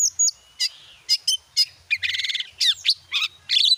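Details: White-rumped shama song, played as a lure to get a kept bird singing: rich varied phrases of sharp whistled notes, chips and a fast buzzy rattling trill, delivered in quick separate bursts.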